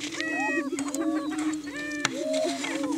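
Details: Displaying Greater Prairie Chickens on booming grounds in Washington County, Kansas, morning courtship. A short burst of steady low booming with bright overlapping hooting cries and a brief knock.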